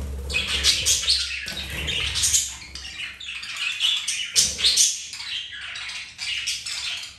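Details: Continuous chattering warble of pet budgies while mating, flirting and playing, with bright chirps and a soft low background hum.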